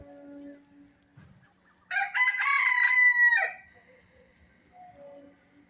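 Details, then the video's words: Country chicken during feeding: a loud, drawn-out nasal note lasting about a second and a half with a rough rise and fall, framed by a low steady hum and faint background sounds. "Hen Sound Effect 2022 | Chicken Nosie"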